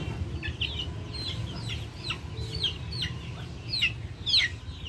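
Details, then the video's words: Backyard chickens producing a busy stream of high, falling chirps, several per second, growing louder near the end, over a constant low rumble of outdoor noise. "Backyard chickens making noise"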